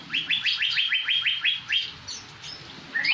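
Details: Blue-winged leafbird from Surat singing in imitation of a greater green leafbird: a rapid run of about a dozen clear whistled notes, each sweeping upward, then a pause and one more rising whistle at the end.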